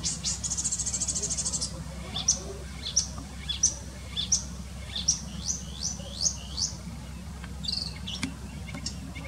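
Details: A wild marsh or reed warbler (uncertain which) sings in its natural habitat, perched low in greenery: a high buzzy trill opening, then varied sharp chirps and churrs about twice a second, over a low steady rumble.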